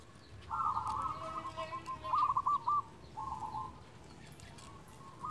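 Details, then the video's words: Local zebra dove singing to call rivals, used as a lure for other doves. Quiet, trilled cooing phrases at a steady mid pitch run in short bursts over a hissy, noisy background. "Perkutut lokal gacor Ahlinya memanggil lawan bunyi"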